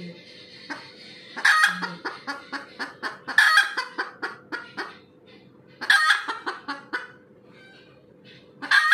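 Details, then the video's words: Red junglefowl calling after laying an egg: loud, harsh clucks in quick repeated series, with bursts of stronger cackling notes near 1.5, 3.5, 6 and 9 seconds and short pauses between runs; low background hum throughout. "AYAM HUTAN SELEPAS BERTELUR"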